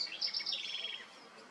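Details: A White-spotted woodpecker at its nest in Serra da Cantareira, São Paulo, Brazil, in August 2023, gives a thin, high chattering call of quick squeaky notes lasting about a second, then fades into a quiet background.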